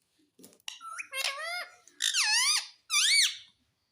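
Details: Indian ringneck parakeet talking indoors, said to say mummy and papa: a run of whistled, speech-like syllables with rising and falling slurred tones, four grouped phrases, the last ones loudest.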